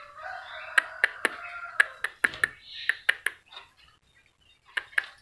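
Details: A local black-naped oriole being tamed by frequent teasing gives a drawn-out, nasal, slightly buzzy call lasting nearly two seconds, then a shorter higher note, over a run of sharp clicks and taps.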